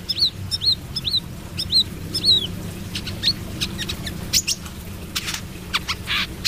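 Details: Brown-throated sunbird in 'trotol' song: a run of high, bright, upward-hooked chirps repeated roughly every half second, followed by scattered sharp ticks and clicks over a soft low hum.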